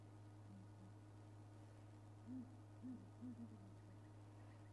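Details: Southern ground hornbills at Djuma Game Reserve, South Africa, on a morning safari drive, 10 July 2011: deep, soft booming hoots in quick pairs as a nearby bird answers another, possibly separated and calling all night to keep in touch, over vehicle engine hum.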